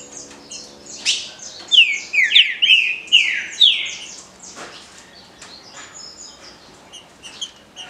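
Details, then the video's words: Green-winged saltator singing in the Paraná liso batido style: a loud burst of four or five rich, slurred whistles between seconds two and four, surrounded by faint high chips and ticks. "TRINCA FERRO CANTO PARANA LISO BATIDO"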